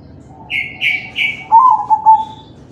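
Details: Singing crossbred zebra dove, kalung tempuk style, used to stir other doves to sing: three high chirps from another bird come first, then one soft rolling coo phrase with a trembling middle and a steady held ending.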